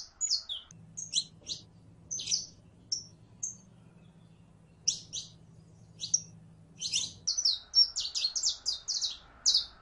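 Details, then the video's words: A saffron finch (Sicalis flaveola) sings a long song of high, sharp chirps in short bursts, quickening into a rapid run of notes near the end, over a faint low hum. "CANARIO CRIOLLO EN PRELONO CANTO"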